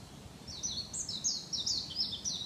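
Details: A warbling white-eye sings at Niiharu Citizens' Forest, a fast, high, tumbling twitter of slurred notes unbroken for two seconds over a faint low rumble.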